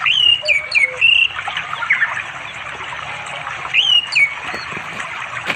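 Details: Orange-headed thrush singing to call a female for mating in the afternoon, beside a flowing river in forest near a remote village in East Java, recorded on an Android phone. Clear, melodious whistled phrases with slurred notes, repeated after a pause.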